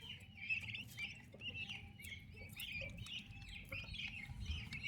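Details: Young turkey chicks beside their mother keep up a steady stream of high, slightly falling peeps, several birds calling at once, over low rumbling background noise.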